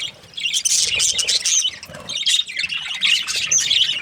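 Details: Australian budgie parrots chirping in a continuous, busy chatter of high, scratchy squawks and short whistled notes, several voices overlapping in waves.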